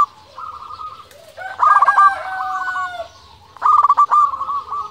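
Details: Local zebra dove coo played as a lure so other doves answer; overlapping birds give rippling trilled coos, one phrase rising and layered, with softer purring coos between.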